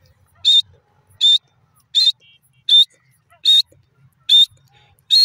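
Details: Grey francolin, known locally as desi teetar, giving a long calling series: loud, high whistled notes repeated evenly about every 0.8 seconds against a quiet background.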